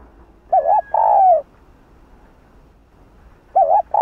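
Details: Spotted dove cooing in the 'Hạp Bổi' voice to provoke other doves: a wavering short coo and a long falling note, then after a two-second pause the next phrase begins.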